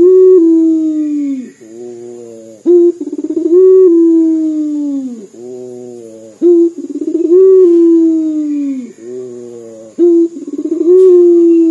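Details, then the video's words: Local puter dove calling again and again, its voice described as like crying: three cycles, each a brief sharp note and a rapid rolling throb, then a long, slowly falling mournful coo, roughly every four seconds. Faint steady high hum. "PUTER LOKAL GACOR DOR SUARA SEPERTI MENANGIS"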